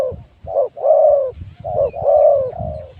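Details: Spotted dove decoy at luring spot 136, giving rounded low coos: a short note followed by a longer, slightly falling hoot, pattern heard twice in quick succession.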